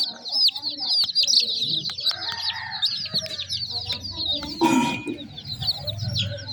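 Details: Chicks peeping nonstop, many thin high chirps sliding down in pitch and overlapping, with a brief loud scrape or thump near the end and faint low background rumble.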